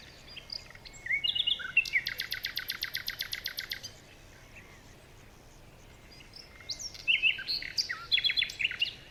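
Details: Birds chirping in a forest in the morning: a fast rattling series of high, sharp chirps, then a pause and a second burst of bright, varied tweets over a quiet background.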